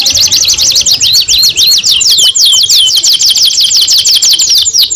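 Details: Young canary song of rapid buzzy trills. Quick rising and falling whistled notes repeat about two per second in a dense high chatter.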